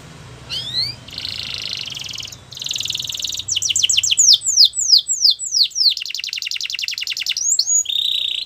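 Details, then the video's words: Canary song meant for training canaries: an upward slur, two buzzy rattling trills, a series of falling whistled notes, a fast high trill and a closing level buzz, with soft low background noise. "Best canary sounds!! Suitable for canary training"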